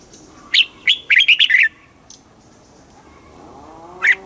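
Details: Red-whiskered bulbul from Thailand singing southern master-style song to excite birds and teach young birds; one brisk phrase of several bright warbled notes, a pause, then a single sharp note over faint background hum.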